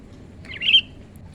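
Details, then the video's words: Single sharp, slightly buzzy chirp from a young wild-caught Sooty-headed bulbul in training as a decoy bird, rising then holding briefly before fading, with faint low background hum. "burung kutilang mulai gacor"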